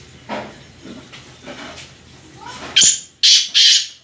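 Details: Black francolin (kala teetar) giving three loud, rasping, grating notes near the end, after a stretch of faint, soft background sounds.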